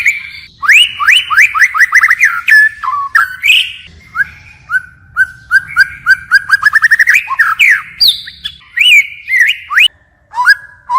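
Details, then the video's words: White-rumped shama with a forest-voice song, changing phrases without pause: rapid series of down-slurred whistles, flat held notes, and short bursts of clipped, quickly repeated notes. "Chích chòe lửa hót giọng rừng hay đảo giọng liên tục"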